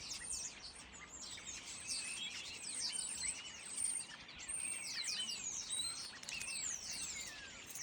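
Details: A noisy flock of starlings in a fir tree: a dense, continuous chatter of high whistles, clicks and sharp slurred notes from many birds, with rising and falling whistled sweeps over a faint background hiss.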